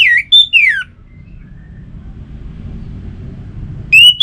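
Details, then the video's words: Orange-headed thrush song used to make kept birds sing: a phrase of descending slurred whistles ends, a quiet pause of low hum follows, then a new rising whistled phrase begins. "Suara Burung ANIS MERAH"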